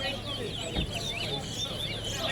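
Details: A Chestnut-bellied Seed-Finch (towa towa) in a B-class bird-singing competition at Lusignan, Guyana, gives a quick, warbled run of sweet, twisting whistles, with people's voices murmuring underneath.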